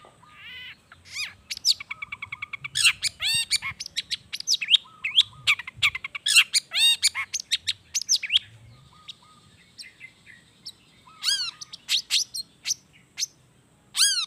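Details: Long-tailed shrike song used as a lure to set shrikes singing, with natural fill: a long varied sequence of quick chirps, rising and falling slurred whistles and buzzy notes, quieter spells, then clear downslurred whistles near the end.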